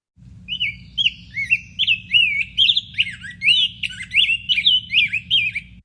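Rose-breasted Grosbeak singing a long, flowing warble of rich, sweet whistled notes that slur up and down, about two phrases a second, over a faint low hum.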